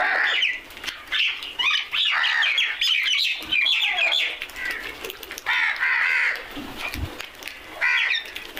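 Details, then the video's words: Crows making noise together: dense, overlapping harsh cawing from several birds, nearly continuous through the first half, then scattered loud caws and a low thump. "Crows are crowing and making noise"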